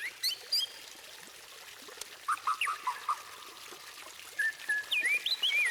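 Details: White-rumped shama song meant to prompt other birds to sing: varied clear whistled notes, some rising and some falling, delivered in short scattered phrases over a steady hissing background.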